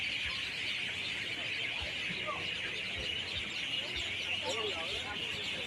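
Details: Evening gathering of birds singing daily from 6 pm to 7 pm: a thick, unbroken mass of high chirping and twittering from many callers at once. A few clearer, lower notes stand out briefly above the steady chorus.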